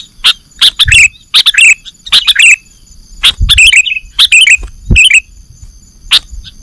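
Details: Lure recording of sooty-headed bulbul (kutilang) for catching birds: paired click-and-chirp notes, bright and downslurred, given in small clusters. Soft low thumps sound in the background.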